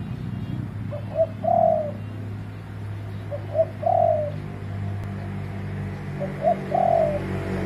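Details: Spotted dove calling: three soft cooing phrases about every two and a half seconds, each a short low note, a brief higher note, then a longer drawn-out coo, over a steady low rumbling hum.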